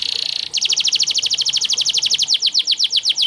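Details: Canary singing for song training: a brief buzzy steady note, then a rapid, even trill of sharp descending chips, roughly eight per second, ending in a falling whistle.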